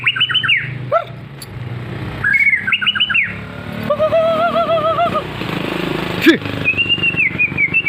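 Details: White-rumped shama (murai batu) singing loud whistled phrases: bright rising-falling notes, a lower warbled run of looping notes around the middle, and a sustained high trilled ending; steady low background hum and traffic-like rumble.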